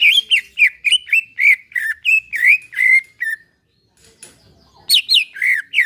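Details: Relaxed singing of a caged greater green leafbird, played to coax a bird into song: quick series of bright slurred whistles, each dropping in pitch, followed by a pause and a renewed burst of high whistled notes.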